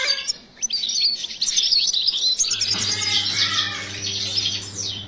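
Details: European goldfinch kept for breeding in an aviary, singing a fast, bright twittering stream of high chirps and trills; a low steady hum joins in the second half.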